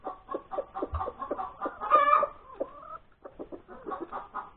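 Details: Domestic hen calling after laying an egg, recorded Sunday, January 31, 2021, at breakfast time. Rapid, continuous clucking surrounds one strained, nasal squawk, with a brief pause before the clucks resume. A faint low thump is also heard.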